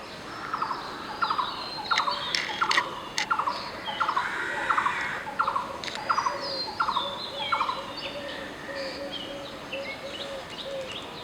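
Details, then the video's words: Blue-throated barbet calling: a steady rhythmic run of short throaty notes, roughly 86 per minute, later joined by a lower repeated series, set against many other chirping birds and a constant high hiss. "Blue-throated barbet calling."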